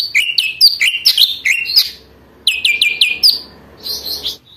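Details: Lesser green leafbird singing energetically, used to provoke other birds into singing and as a master song for trainees: bursts of sharp high chirps and short downward-sliding whistles in quick series, a pause, then another rapid phrase and a softer trailing burst.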